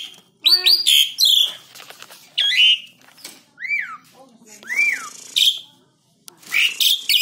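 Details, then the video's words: Tame Black-winged starling in a cage, song meant to stir other birds to sing: harsh chatters alternating with looping downslurred whistles, with brief gaps between phrases. "JALAK SUREN GACOR ANTI STRES FULL ISIAN BUAT PANCINGAN BURUNG LAIN"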